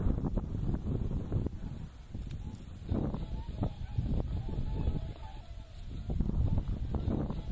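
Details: Thousands of whooper swans on a Yellow River wetland park in Bayannur, Inner Mongolia, present since March, swimming, flying and calling with necks stretched: overlapping nasal, bugling honks from several birds at once over a steady low rumble of wind or water.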